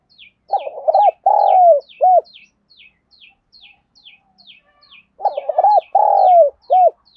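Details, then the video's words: Spotted dove lure bird in the 'giọng đồng pha' style, kept to draw in wild doves. Two full phrases about five seconds apart, each a stuttering lead-in, a long drawn coo and a brief closing note. A thin downslurred chirp repeats twice a second throughout. "Chim cu gáy giọng đồng pha dùng kích bổi rất hiệu quả"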